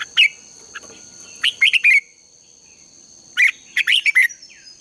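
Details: Red-whiskered bulbul contest song for morning training, meant to spur other birds to sing: two loud clusters of lively warbled chirps with sweeping whistled endings, a quiet gap between, steady high ringing tone throughout.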